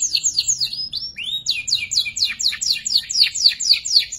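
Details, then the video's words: Young canary still learning its ngeriwik song, used to train murai and kacer fighters, delivers quick descending whistled slurs, a rising sweep, then a steady run of falling chirps about four per second. "PANCINGAN KENARI PAUD BELAJAR NGERIWIK"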